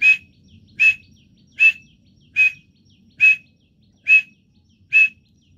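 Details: Partridge (teetar) calling: seven loud, harsh, burst-like notes with a short whistled core, repeated steadily about every 0.8 seconds over a faint low background rumble.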